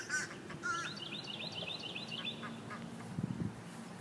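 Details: Two mallard drakes fighting over a hen, with a few short, nasal quacks at the start and low muttering below, while a small bird's thin twittering trill runs through the middle.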